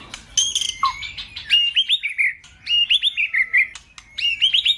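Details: White-rumped shama song played to excite a male into singing: clear whistled notes sliding high and low, a low dipping note near the start, then rapid rising whistled phrases and trills repeated in bursts.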